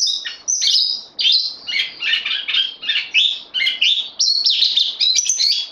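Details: Bulbul newcomer on loan, 12 September 2020, sings a busy, chattering medley of high slurred notes and sharp upward flicks in dense bursts.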